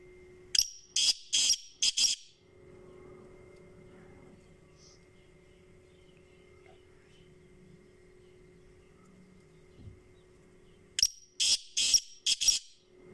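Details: Black francolin (kala teetar) giving its loud, grating call: a run of four or five harsh rasping notes, silence with a steady faint hum for about nine seconds, then the same rasping series again.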